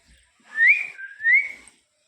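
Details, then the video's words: A talkative pet parrot kept indoors whistles a two-part phrase. Each part climbs and then holds, with a lower dip between them. A woman speaks Hindi to the bird just before and after, with faint room noise. "बातूनी तोता 😂||funny parrot talking in Hindi"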